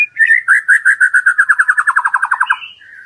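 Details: Murai batu (white-rumped shama) song in a lure recording meant to push a shama into loud singing with its full repertoire. A short phrase opens into an even trill that speeds up, then ends in a brief high buzz.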